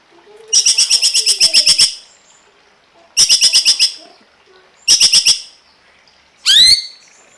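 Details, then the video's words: Cungkok singing on a songbird tutor recording: long bursts of fast, buzzy, high-pitched rattling, with a final sweeping rising whistle after the three rattles. "masteran burung cungkok"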